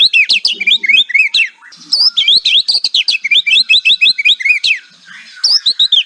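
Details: Kretekan-style song of a white-rumped shama, meant to coax silent shamas into song: fast bursts of loud whistled and chattering notes with swooping up-and-down slurs, broken by a brief pause near the middle.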